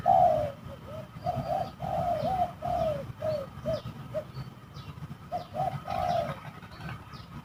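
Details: Fighting spotted doves at a rather spooky spot used for decoy trapping; a run of short low coo notes at a steady pace, a pause, then a few more, with distant high chirps and low rumble.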